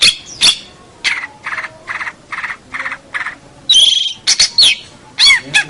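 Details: Long-tailed shrike, a local champion bird, gives a tutor song. A series of evenly spaced buzzy rasping notes at roughly half-second intervals gives way to sharp, twisting whistled chirps.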